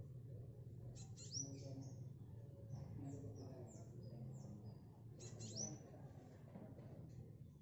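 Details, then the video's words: Spotted, tame black sunbird practising song: two bursts of quick high chattering notes with rising whistles, linked by soft descending high twitters, over a steady low hum. "Kolibri Black Sunbird Trotol Lulut Melatih Bunyi"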